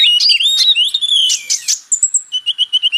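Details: Song of a purple-throated sunbird (kolibri ninja), used as tutor material for magpie robins: high, twisting, squeaky phrases break into a thin trill, then about a dozen short, sharp chips repeated at an even pace.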